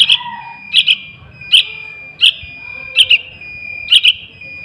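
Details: Sooty-headed bulbul nestling-type calls used as a lure for wild birds: sharp paired chirps spaced around 0.8 seconds apart, separated by quiet gaps, over a steady high hum.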